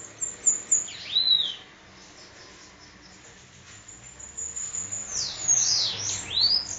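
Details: Sibite, the bananaquit, at Parnamirim in Rio Grande do Norte, singing 'endemoniado' style: a brief burst of high tinkling notes and a swooping slur, a pause, then a longer run of hissy, sliding high phrases.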